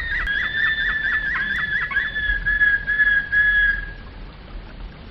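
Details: Domestic canary (Canário do Reino) singing in the flute style (Flauta/Flawta): about ten quick, pure whistled notes repeated in a bouncing run, then a long, steady, flute-like whistle that holds for about two seconds before fading.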